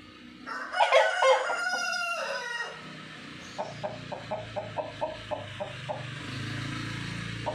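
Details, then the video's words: Crowing of a white rooster: a rough, drawn-out crow of about two seconds, followed by a steady run of short clucking notes roughly twice per second over a low background rumble. "Ayam Jantan Putih Berkokok"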